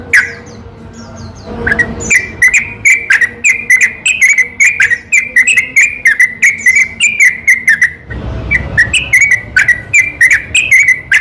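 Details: Yellow-vented bulbul night song used as a lure to provoke other bulbuls: faint scattered high notes at first, then long runs of rapid bubbly chattering with a short break in the middle.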